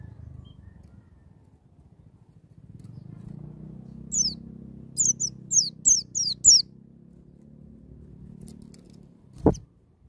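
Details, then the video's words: White-eye in wild "ngalas nembak" singing style, meant to spur young birds to sing: a short run of about six high, sharp downslurred whistles midway, a low droning hum throughout, and a single loud click near the end. "BURUNG PLECI NGALAS NEMBAK"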